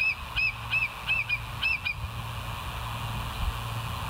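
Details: Bald eagle at West End on a live nature cam, July 14, 2023, uttering a quick chattering series of about seven short high chirps in under two seconds, then only background hiss and low rumble.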